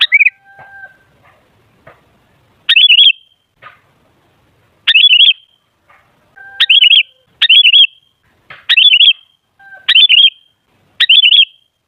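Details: Sooty-headed bulbul song for luring bulbuls into chatter: a run of about eight bubbly warbled phrases every second or two, with soft lower whistles between.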